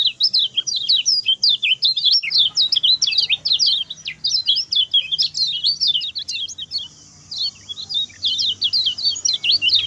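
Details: Short, fast master song of a lemon-bellied white-eye for teaching other birds. An almost unbroken stream of rapid, high twittering notes, with one short break near the end.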